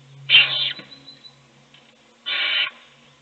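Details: Owls in a nest box, an adult feeding one chick while the others sleep; two harsh, breathy hisses about two seconds apart, the first sharper and louder at its start.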